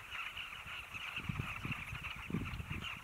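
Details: Southern carmine bee-eaters in a dense colony at the Zambezi, Namibia, give a chorus of overlapping rolling, throaty notes, with low wind rumble and knocks underneath.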